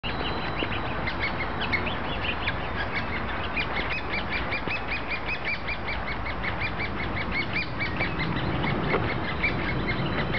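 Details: Woodpecker nestlings being fed keep up a steady, overlapping chorus of short, high, scratchy chirps, several each second, over a low background rumble.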